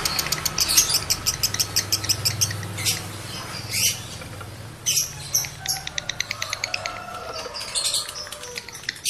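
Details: Breeding-condition male lovebird calling to stimulate other males: fast bursts of rattling, ticking chirps broken by loud harsh squawks, then a steady run of evenly spaced clicks near the end, over a low rumbling background.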